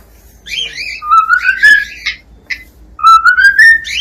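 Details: Cockatiel singing indoors: rising whistled phrases that slide upward, interspersed with short harsher notes, the whistled motif repeated twice.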